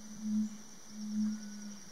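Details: Red-ruffed Fruitcrow males displaying together at a lek, at least nine birds present, in the Yabotí Biosphere rainforest of Misiones. Two very deep, booming hums near 200, each swelling then fading, with a steady high insect drone behind.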